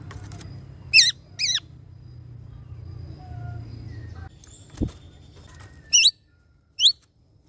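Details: Greater racket-tailed drongo singing to call the flock: several loud, high, wavy whistled notes, paired near the start and two more toward the end, with fainter chirps and a low background hum between them.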